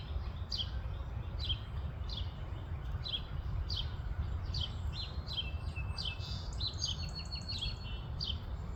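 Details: An Eastern towhee in Virginia, USA, gives sharp, high chipping notes about once a second, bunching closer toward the end, over a steady low rumble of wind or distant traffic.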